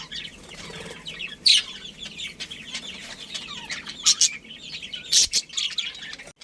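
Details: Budgerigars kept as a breeding pair give soft, scratchy background chatter broken by three loud, sharp chirps, each a brief high burst.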